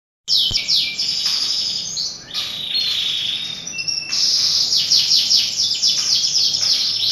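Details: Canary song used to prompt other canaries to sing: a fast, loud run of high trills, sweeping whistles and rapid repeated chirps, shifting between rolling trilled phrases and sustained buzzy notes, with no other clear sounds.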